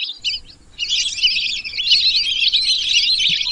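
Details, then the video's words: A group of lesser whistling ducks giving rapid, shrill whistled twittering. A few short chirps open the sequence, then it swells into a continuous chorus of overlapping high notes. "whistling dack call/sound /বালি হাসের ডাক/শরালী পাখির ডাক"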